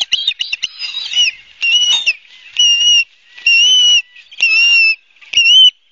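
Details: Ospreys at a nest at Barnegat Light, New Jersey, on 12 September 2022 at 16:34, filmed by a live nest camera; drawn-out, high squealing whistles, some level and some bending, in bursts with short gaps.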